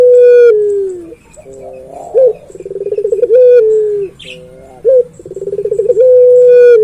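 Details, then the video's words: Puter pelung dove, a Barbary dove that calls tirelessly, kept for training or luring other puter pelung: a long drawn coo sliding gently downward, then a rolling pulsed coo ending in short upturned notes, repeated twice. "Burung Puter Pelung Gacor Bunyi Terus"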